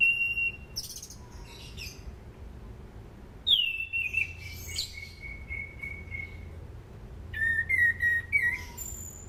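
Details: Orange-banded thrush song meant as a lure for training cage birds: a whistled note, then a loud phrase falling into a long level whistle, and later a quick series of short stuttering whistles.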